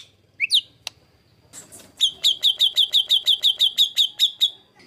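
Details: Rough 'tembakan kasar' master song of a white-rumped shama, meant for training competition birds: a couple of isolated notes and a click, then a steady run of about fourteen clipped, identical notes, roughly three per second.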